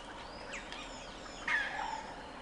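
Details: Flock of White-crested laughingthrushes: soft scattered chatter, then a sudden loud cackling burst halfway through, fading into lower chuckling notes.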